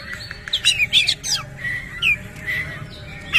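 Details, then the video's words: An Oriental magpie-robin showing off its tail while singing coarse fill-in phrases. Scratchy chattering notes come first, then drawn-out mellow whistles and a rising slur, separated by brief gaps. "KACER GACOR BONGKAR ISIAN KASAR BUKA EKOR"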